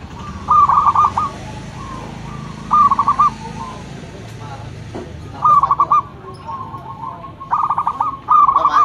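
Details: Zebra dove, local bird prized as a loud lure, repeating brief bursts of fast whistled coos about every two to three seconds, with soft background hum between phrases.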